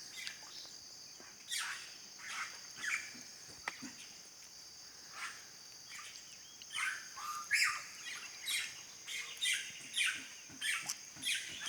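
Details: Red-rumped cacique, locally called guaxe and also known there as japu, singing at 06:50 in the morning: a string of harsh, buzzy bursts roughly once a second, louder toward the end, over a steady high insect drone.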